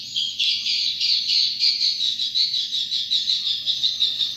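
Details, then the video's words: Swiftlets give rapid, pulsing high twitters, several beats a second, in a fast trilling stream with a faint low hum behind. "SUARA ASLI WALET"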